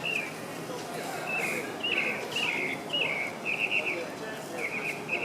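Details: Near Tulum in Quintana Roo, Mexico, in November 2014, a tropical mockingbird sings a string of short, bright, downslurred and trilled phrases, about two per second, each slightly varied, over a soft continuous hiss.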